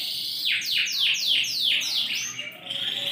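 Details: Yorkshire canary, large ring-20 bird in full active song, recorded 28 January 2021: a run of about six quick downslurred whistled sweeps, roughly three per second, ending in a steadier high warbled note.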